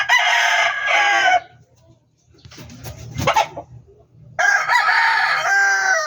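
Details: Two loud, raspy crows from a chicken at a backyard poultry farm, separated by a quiet gap with a low thud and faint rumbling.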